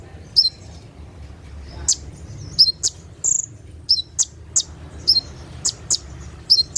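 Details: Brown-throated sunbird (kolibri ninja), 'tembakan' song at night: sparse high, sharp chips and quick two-note chirps spread evenly across the clip over a faint low hum.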